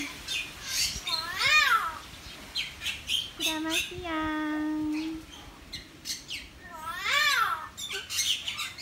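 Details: Hill myna caged in a Sanur neighbourhood, Bali, in July 2019: loud arching squawks and a long steady whistled note, with people talking nearby between the calls.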